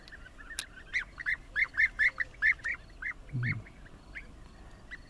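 Bee-eaters give rolling, liquid 'prruip' notes in a quick run of about ten calls, then a few more spaced ones; a brief low thump sounds midway.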